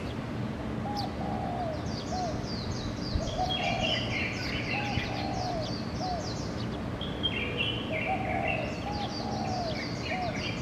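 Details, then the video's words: Morning bird chorus recorded 21 June 2014 at 04:59 from a fourth-floor home: soft, low cooing phrases every couple of seconds beneath bursts of high, bright chirps and twitters, over a steady low hum. "Bird 早安曲"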